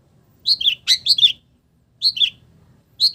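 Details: Long-tailed shrike song filled with borrowed village-bird phrases. Short bursts of high, slurred whistles drop in pitch, with brief pauses of about half a second between bursts.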